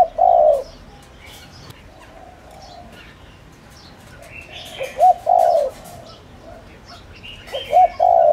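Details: Deep coo phrases from a decoy spotted dove meant to draw wild doves: a long rolling note opens, then after a pause two more phrases of short note plus sustained coo. Scattered high chirps from other birds.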